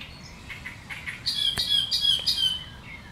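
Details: Great reed warbler in reeds with sharp chattering song: a few soft harsh notes, then a louder run of grating chatter mixed with higher, more whistled strained tones, over low background rumble.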